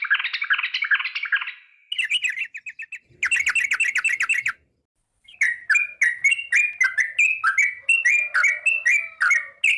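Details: A sooty-headed bulbul opens with a dense chattering burst and a few clipped notes, then after a pause settles into a run of rhythmic, gurgling, dipping notes in the 'ngingklong' style.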